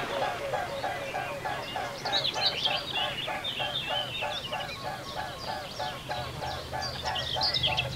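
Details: Mute swans on the wing over ponds in Europe, recorded in autumn and spring: even, rhythmic throbbing wingbeats about three a second throughout, with higher squealing bird calls overlaid midway and near the end.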